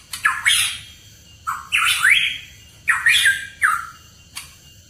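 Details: Hooded pitohui in song, recorded as a lure for songbirds: four loud phrases, each a grating squawk mixed with an upward-sweeping whistle, spaced roughly a second apart.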